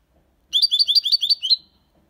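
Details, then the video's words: Six-month-old European goldfinch delivering a Malaga-copy phrase: about eight quick, bright chirped notes in an even, rapid run lasting one second, set against quiet surroundings. "Jilguero cantando Limpio 6 meses/ chardonneret chante la copia Malaga / Goldfinch singing"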